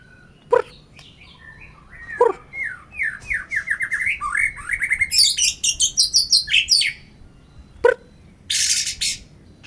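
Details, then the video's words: White-rumped shama kept caged and sunbathed hard to boost its energy, singing a varied run of rising whistled and chattered notes, building to a fast rolling phrase, with a few sharp clicks and a brief hiss. "salah satu cara menaikan emosi burung muraibatu"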